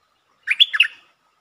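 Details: Single warbled phrase from a streak-eared bulbul, recorded 13 February 2023 as a lure song: four quick liquid notes, rising then dipping, delivered in about half a second.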